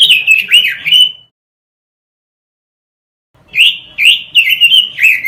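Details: Masteran recording of robin song for tutoring caged birds: a quick run of slurred whistles, a two-second silence, then another phrase of rising and falling clear notes.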